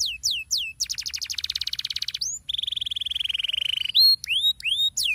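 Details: Lure song of a canary for prompting reluctant canaries to sing: a few swooping whistles, a long fast pulsed trill, then a lower steady roll and rising slurred notes.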